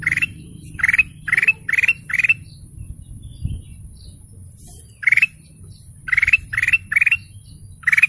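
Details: Golden canary singing bursts of five or so rapid buzzy chirps, pausing briefly, then repeating another quick series over a faint low hum.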